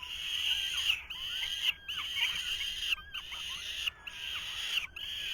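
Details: Young falcons in a 2023 nest calling as the male tries to feed them: strident, grating screams in sustained bursts with short silent breaks between them.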